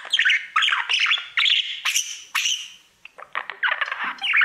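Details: A male budgie sings to his mirror with quick, bright chirps and scratchy warbles in short clusters, a brief lull, then renewed chattering.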